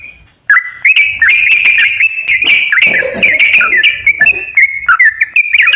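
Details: Yellow-vented bulbul song meant to prompt a silent bird to sing: after a brief pause, a lively run of warbled whistles with sliding notes and buzzy accents continues without break.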